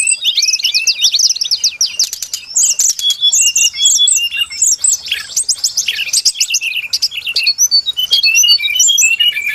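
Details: Brown-chested jungle flycatcher, trapping lure: dense, hurried medley of high chirps, quick trills and sliding whistles, busy throughout with brief clicking bursts mixed in.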